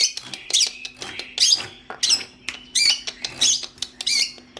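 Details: Training song of a long-tailed shrike for other songbirds, a rapid chatter of very high, scratchy, twisting notes repeated nearly every half second, mixed with sharp clicks.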